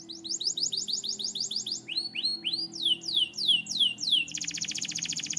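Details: White canary singing rapid tours of descending whistled notes repeated about three per second, then swooping upslurred phrases, ending in a fast buzzing high trill; faint low hum underneath.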